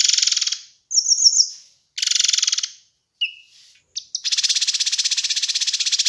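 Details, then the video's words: Kinoi bird on a master recording for training and luring birds. Dense, buzzy rattling trills alternate with brief high twittering notes and a short whistle, ending in a long sustained rattle. "Masteran Dan Pancingan Burung Kinoi"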